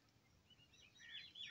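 A short, faint black francolin phrase of harsh, grating notes that grows louder toward the end, over a low background hiss.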